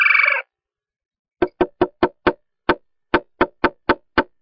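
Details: In mid-March, a male Red-bellied Woodpecker at a backyard nest box he has defended for months gives one short rolling churr, then taps sharply on wood about a dozen times at an uneven pace to attract a mate.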